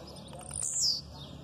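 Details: Blue-black grassquit giving an aggressive song, with female calls in the background. A single high, buzzy note slides downward and fades over a faint, steady background hiss.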